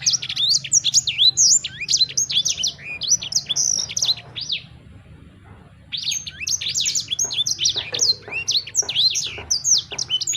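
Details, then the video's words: Sanger bird singing long runs of rapid, high chirps and downslurred whistles, about two notes a second, broken by a quiet pause midway before the song resumes vigorously; a soft low hum continues. "Burung Sanger Anda Bunyi Seketika"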